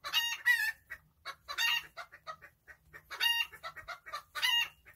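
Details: Relaxed backyard chickens alternating loud, nasal squawks with quick runs of softer clucks. The squawks recur roughly every second or two.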